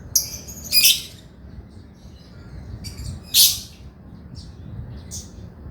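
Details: Male lovebird, a chatty singer used as a tutor recording for idle birds. A few harsh, high chirps and squawks are spaced out over a quiet background, with one louder rasping note in the middle.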